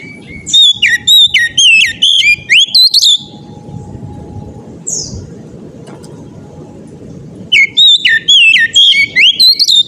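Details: Oriental magpie-robin delivering persistent ngeplong-style song meant to set other magpie-robins singing: rapid bursts of sharp, bouncing whistled notes, about two a second, a pause with faint hum and one thin chirp, then the bursts resume.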